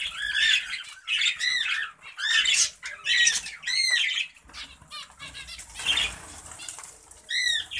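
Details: Zebra finches in a breeding setup calling almost without pause: overlapping nasal, honking notes at roughly eighty per minute, several birds at once, mixed with wing flutters and soft rustling, then a brief lull before a last pair of calls.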